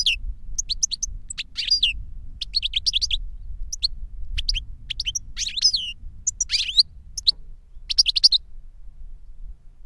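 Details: Caged European goldfinch, an adult teacher or young learner, sings a lively sequence of high twittering notes and buzzy slurred phrases with brief gaps, over a low constant hum.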